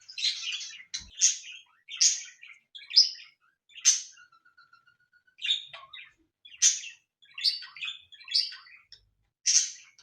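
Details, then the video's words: Pet cockatiels kept as ornamental birds, giving a steady series of short, scratchy chirps and warbled notes about once a second, with one thin, level whistle in the middle of the run. "مشاهد طيور الكوكتيل"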